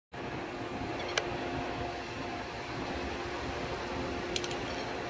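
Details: A steady mechanical hum like a fan fills the recording, broken only by two brief sharp clicks near the start and end; no animal voice is heard.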